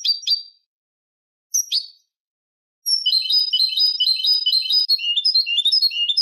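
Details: European goldfinch singing a clean Malaga-style song for youngsters to copy: a few sharp high chirps, then a long continuous trill of fast, liquid, tinkling notes rolling on for over three seconds.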